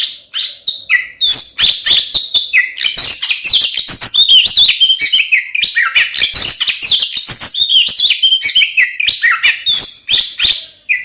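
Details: Oriental magpie-robin singing loudly in a combative style, used to rouse other magpie-robins into fighting. Begins with spaced chips, then swells into a dense flow of varied whistles, trills and scratchy buzzes that lasts throughout.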